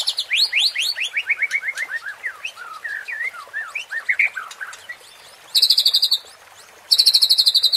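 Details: White-rumped shama song for provoking competition birds: a cascading series of whistled notes sliding downward, then twisting phrases, and two short high rattling trills at the end.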